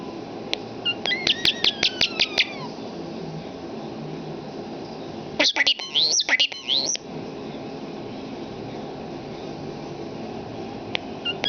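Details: Talking pet common starling indoors mimicking human speech: a burst of rapid clicking trills with descending whistles, then after a pause a second run of squeaky, speech-like syllables, with a steady low room hum beneath.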